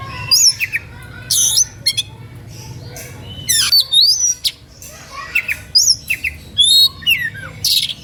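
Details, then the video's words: Oriental magpie-robin singing with intensity to tempt rivals into joining; a dense stream of varied whistles, twisting slurs and harsh raspy notes, with a faint low hum beneath. "SUITAN KACER NGEPLAY EMOSI MEMANCING LAWAN IKUTAN BUNYI"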